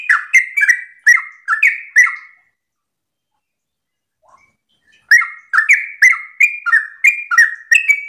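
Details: Sooty-headed bulbul in the morning giving rapid 'ropel' song to lure other birds into singing: a burst of bubbly downslurred whistles, a silent gap of nearly three seconds, then another fast chattering run.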